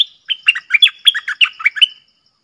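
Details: The red-whiskered bulbul's clear, pleasant 'double' song, used as a lure sound: around ten rapid, melodious, up-and-down warbled notes in one bubbling phrase.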